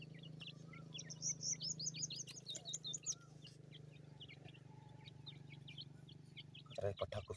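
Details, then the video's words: Irani teetar (francolin) chicks give thin, high peeping chirps in quick clusters over a steady low hum, with a sharper burst of calls near the end. "Irani teetar chicks ki awaz,teetar chicks sound"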